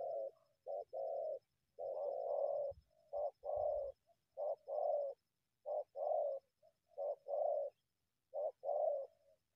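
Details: Wild spotted dove approaching a decoy from the undergrowth, intent on attacking it; a long run of low cooing phrases, short note then sustained purring coo, repeated steadily with faint thumps in the middle.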